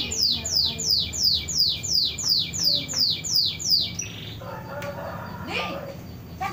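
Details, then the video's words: Canary singing in a style imitating a trucuk (bulbul), a long-roll singer, with a fast series of about ten descending high sweeping notes, evenly repeated about three per second, then quieter twittering with background hum. "Kenari rasa burung trucuk"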